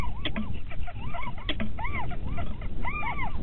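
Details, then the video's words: Little owls pairing at Winterswijk, Netherlands, in January 2017 at 17:30: a quick run of mewing, arched notes with clear overtones, some doubled, mixed with a few sharp clicks over a steady low rumble. "Steenuil Winterwijk Paring"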